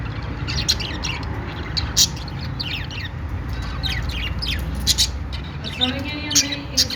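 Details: Budgerigars giving a happy sound: scattered short high chirps and squawks across seven seconds, with a low steady rumble beneath, like traffic.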